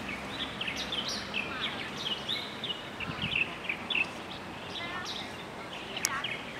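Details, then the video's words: Dusky thrush giving brief squeaky chirps and thin whistled notes in loose clusters, some overlapping, with soft ambient noise outdoors. "Dusky Thrush"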